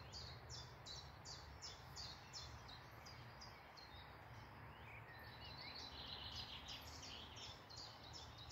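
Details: Woodland birds singing in the morning near Malton, North Yorkshire: quick series of high, thin, sharply downslurred notes repeated about three times a second, with a second softer warbling voice later, over steady low rumble and background hiss.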